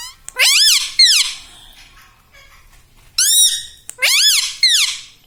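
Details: Talking pet rose-ringed parakeet, a green ringneck that says mummy, papa and radhe radhe, utters loud, rich, arching syllables in two bursts separated by a quiet gap of about two seconds.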